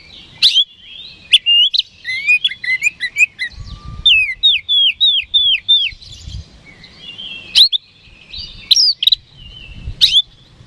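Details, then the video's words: Oriental magpie-robin singing a daily lure song meant to provoke rival birds into a quick response: sharp high chirps and clipped notes, then a run of repeated down-slurred whistles, with short bursts separated by brief quiet gaps. "PANCINGAN KACER HARIAN"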